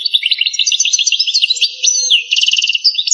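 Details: Pure Algerian goldfinch in continuous campero song, a fast stream of high twittering and liquid notes with a brief buzzy passage and closing rapid repeated chirps.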